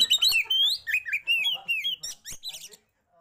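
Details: Fast varied song of an oriental magpie-robin rolling and shooting with tail fanned: sliding whistled phrases and sharp chirps for nearly three seconds, ending in silence.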